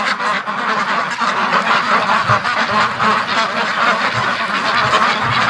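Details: Domestic ducks at their morning feeding. Six Muscovies stayed out overnight and waited, hungry, outside the pen. A flock gives a dense, steady chorus of overlapping harsh quacks with no pauses.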